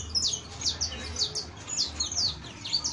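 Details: Sharp, high chirps of a saffron finch (canario criollo), falling notes in loose pairs roughly every half second, with a steady low hum in the background.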